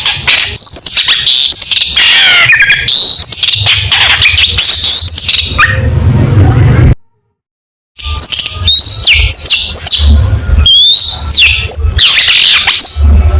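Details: Energetic singing from a long-tailed shrike meant as competition training material, a dense stream of chirps, trills and upward-sweeping whistles, broken by a second of silence midway, with low humming background.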